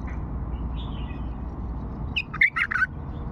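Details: Old Fawi-style bulbul song phrase: after soft faint warbling, a sudden rapid cluster of loud, liquid whistled notes near the end, rising and falling, over a constant low rumble.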